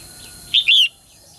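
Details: Female bird calling to get males singing: a single bright two-part chirp, a short high note then a longer rising-falling whistle, over a faint steady hiss.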